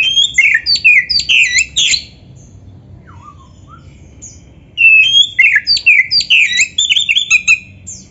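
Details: Oriental magpie-robin song used as a training recording for caged birds, rich in varied phrases: bursts of loud, rapid whistled and chattering notes, a pause with a soft low-pitched phrase, then another dense, sweeping whistled run.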